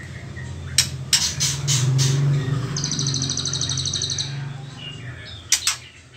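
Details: White-rumped shama in its juvenile trotol stage, pre-pastol, gives a high, rapid pulsed trill lasting about a second and a half amid sharp clicks, over a steady low mechanical hum.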